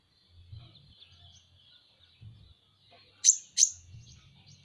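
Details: Van Hasselt's sunbird, known as kolibri ninja and kept as a pet songbird, gives two loud, sharp high chirps near the end, after soft high twittering over a low rumbling background hum.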